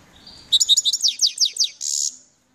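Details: Song of a grey-headed bird: after a faint start, a quick series of high, sharp, downslurred notes, about a dozen in a row, ends in a longer buzzy trill.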